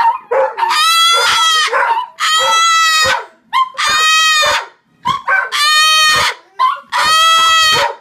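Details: Loud cockatoo screams, five harsh, grating shrieks each lasting roughly a second, separated by short pauses and softer clipped squawks at the start of several screams.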